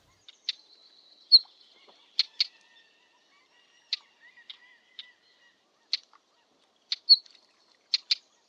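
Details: Northern wheatear song: sparse scratchy phrases of hard clicks, short buzzy notes and a few thin high whistles, irregularly spaced with quiet gaps between them and no other clear sounds.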